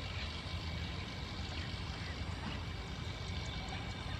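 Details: There are no animal voices, only a dense rushing wash of sound like flowing water or a running engine, loud and unchanging from start to finish.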